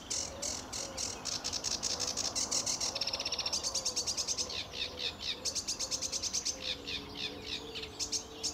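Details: Very lively sedge warbler singing in early morning sun at RSPB Fowlmere, July 2013: scratchy chattering notes speed up into a long rapid trill, then break back into jerky repeated phrases, with soft lower whistles from other birds.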